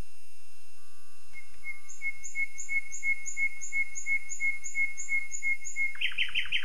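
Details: Common nightingale song: a long run of pure, identical whistles repeated about three times per second, ending in a sudden loud, rapid burst of rattling notes.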